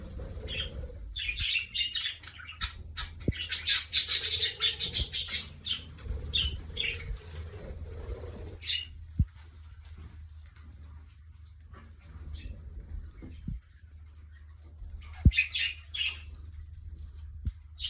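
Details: Scarlet-chested parrots newly placed in an aviary give high, thin chirps and twitters, with wing flutters and a low hum behind.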